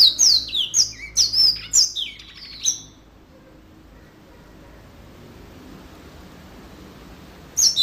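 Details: Short burst of yellow-fronted canary song, quick descending whistled chirps for about three seconds, then near silence with faint background hiss before one more note at the end.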